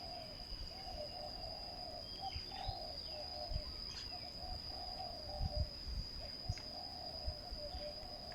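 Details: Spotted dove cooing beside a ground decoy trap in low, rolling phrases with short pauses. Thin chirps from other birds, scattered low knocks and thumps, and a steady high insect whine are also heard.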